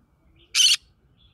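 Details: Green-cheeked conure living in the middle of a rice field gives a single harsh, broadband screech lasting about a quarter second against a quiet background.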